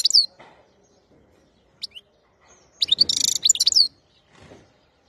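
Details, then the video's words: Wild-type European goldfinch, 2021, opening with a sharp high note, then a lone thin call, then a dense second-long burst of fast twittering and buzzy trilled notes. Quiet room noise sits between the phrases. "تغريد الحسون خلوي"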